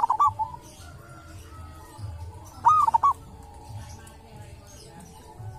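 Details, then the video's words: Local wild zebra dove at a sacred tomb, with a characteristic voice: a cooed phrase at the start and a louder bubbling one near the middle, each a few quick rising-falling notes, then quiet background. "perkutut lokal dari MAKAM KERAMAT ‼️punya suara cirihas tersendiri"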